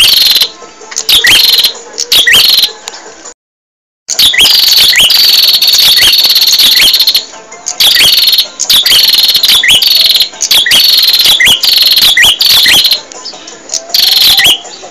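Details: Masteran recording of a bar-winged prinia in continuous gacor song for tutoring caged birds: dense runs of harsh, buzzy bursts with rising whistled notes, nearly unbroken apart from one brief silence.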